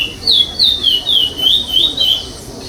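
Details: Chestnut-bellied seed finch (curió pardo) singing in the 'sem repetição' (no-repetition) style at the 8th state competition stage of 2021, placing fifth; clear whistled phrases that slide and rise, about seven notes in under three seconds, with faint background hiss.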